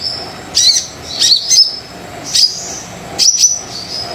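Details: Brown-throated sunbird in spirited song meant to draw quiet birds into singing: high sharp chips and short twitters in spaced bursts, roughly one each second, with thin whistled tails.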